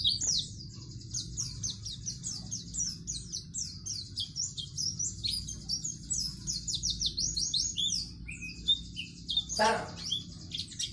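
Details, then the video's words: Long white-eye (pleci) song burst in chatty 'gacor' style for tutoring young birds: a continuous stream of quick high slurred whistles, near-constant, broken near the end by a single sharp knock, with quiet low background hum. "pleci gacor dor || cocok untuk masteran pleci agar cepat buka paruh"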